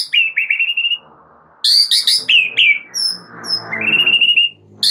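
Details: White-rumped shama (murai batu) in full, constant 'gacor' song, a master recording for training other birds: loud, clear whistled phrases near steady pitch, then sharp rising and falling notes and a high trill, with short pauses between bursts.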